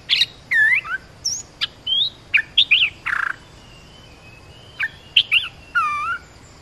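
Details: Olive-winged bulbul call played to teach young birds and attract wild ones: scattered clear whistled notes, some slurred downward, some rising, with short harsh bursts between and a quiet gap midway.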